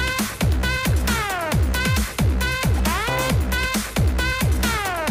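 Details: Loud electronic dance music with a pounding low beat and sweeping synthesized tones repeating in a steady loop, without any animal sound.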